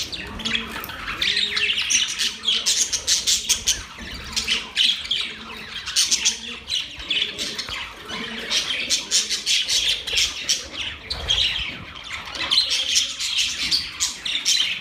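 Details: Budgerigars nibbling seeds chatter in busy, scratchy chirps and squawks with rapid warbled notes.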